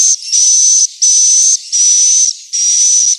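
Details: Swiftlet call used to lure young and adult birds to roost: loud hissing buzzes with a level whistled tone, each about half a second, repeated with short quiet gaps.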